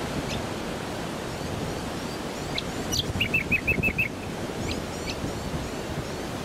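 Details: A brown honeyeater on Queensland's Sunshine Coast in September gives a quick run of six bright, even chips with a few higher notes, over a steady rushing roar like wind or surf.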